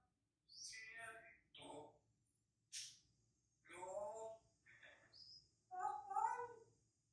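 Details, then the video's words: African grey parrot kept as a pet, mimicking human songs including El Rey, Cielito Lindo and Para Siempre; short human-like sung syllables in separate bursts, a brief hissy sound midway, the final notes drawn out and wavering, quiet background. "Best parrot singing/Mejor perico cantando El Rey, Cielito Lindo y Para Siempre"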